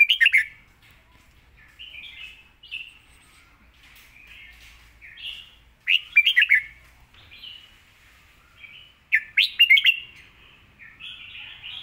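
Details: Red-whiskered bulbul song, praised for fine phrasing and a quick, clear voice: repeated bursts of rich, fluty warbles and sharp chirps, grouped into phrases every two to three seconds with short pauses between.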